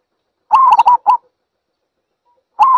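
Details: Zebra dove call: a quick run of clipped, bubbling coo notes ending in a separate short note, followed after a pause by the start of another rapid rolling burst.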